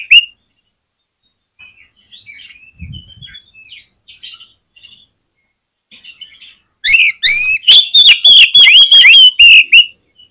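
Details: Oriental magpie-robin in full song, meant to spur other magpie-robins into singing: faint twittering and short whistles, then a strong burst of rapid ringing whistles rising and dipping for several seconds.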